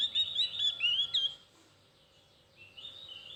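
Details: Javan grey-throated white-eye (opior jawa, cucak gentong) giving thin, soft chirping: quick bright twittering notes with rising and falling slurs packed into the first second, a pause, then quieter high chirps returning near the end.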